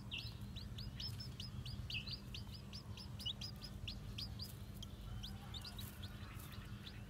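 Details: New Japanese bantam chicks, white with black tails, moving about on foot, produce quick bursts of piercing peeps, dense in the first half then sparser, with a steady low drone behind.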